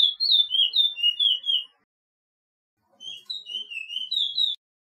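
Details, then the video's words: Chestnut-bellied seed finch, the Suriname picolet or curio, singing a training song meant for caged birds: two bursts of quick whistled notes swinging between high and low, split by about a second of silence. "TRAINING SONG PICOLET - CURIO"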